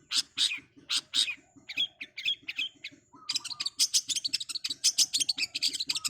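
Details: Long-tailed shrike (cendet) singing fast and vigorously: spaced harsh high bursts, then a rapid stream of sharp scratchy notes with short low whistles mixed in, while a steady low ticking continues beneath.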